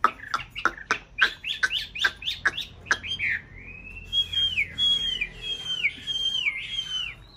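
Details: White hwamei, one of a pair kept in a mountain-town conservation aviary, singing during nest-building season: about a dozen rapid sharp clicks, then long clear whistled phrases that slide up and down, repeated in a loose series.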